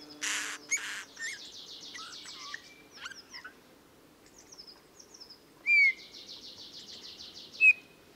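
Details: Eurasian bullfinch singing, a song likened to creaking metal and heard mostly in the breeding season: two harsh noisy bursts, then buzzy high trills, short slurred whistles and a few loud sharp upslurred notes.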